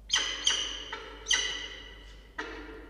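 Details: Peregrine falcon at a nest box in a water tower at Charles Sturt University, Orange, New South Wales, Australia, with two recently hatched nestlings, 8 October 2024, 09:20: four loud, harsh, ringing calls, rich in harmonics, each trailing off, about half a second to a second apart.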